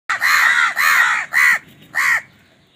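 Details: Crows fighting over food give loud, harsh caws: three rasping calls in quick succession, then a fourth after a short pause, each slightly arched in pitch, with no other clear sounds.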